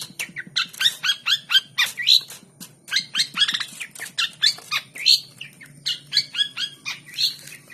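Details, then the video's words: Long-tailed shrike, a hand-trained aggressive fighter bird, gives loud, harsh, scratchy chattering notes in rapid bursts of about four or five a second, with a high squeaky edge. "burung cendet di ctrakin pake tangan langsung fighter"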